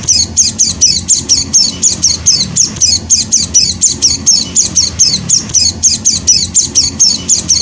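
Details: Young hand-fed white-eye making a continuous series of piercing, high-pitched squeaky chirps, roughly four per second in an even, insistent rhythm, over a faint low background hum.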